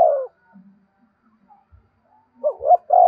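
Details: Spotted dove giving the "gáy thúc" urging coo, meant to set captive doves calling along all day; a long coo note opens, then after a quiet gap a quick pair of coos leads into a drawn-out final note.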